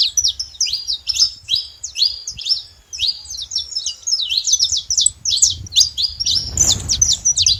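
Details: At a feeder, saffron finches make a lot of noise with quick, bright, chirped notes that rise and fall, packed closely in overlapping bursts, with a soft rushing noise near the end.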